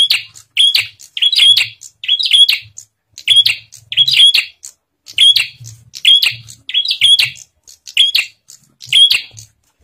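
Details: Bar-winged prinia song serving as a lure for other prinias: a steady string of about thirteen loud, high, sharp chirp phrases over ten seconds, often paired, with faint low knocking underneath.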